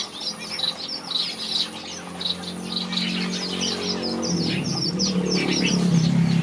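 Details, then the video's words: A red-whiskered bulbul sings in a bird aviary, giving bright, chirpy notes several times a second over a steady low hum that grows louder toward the end. "Red-whiskered Bulbul Sings"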